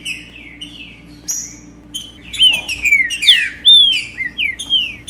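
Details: Green-winged saltator singing, played to stimulate and heat up a male: rich whistled phrases with downward slurs and quick rising notes, growing louder and busier midway, with a few sharp clicks and a low steady hum beneath.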